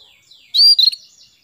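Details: Female canary calling to a male, used to stir the male into singing: one loud, short high chirp with a quick second note, in a quiet room.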